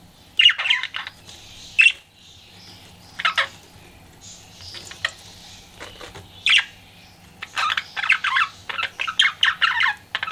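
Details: Pet budgie flirting: scattered chirps and squawks at first, then a rapid rhythmic run of scratchy chattering notes building in the last seconds, over a low hum.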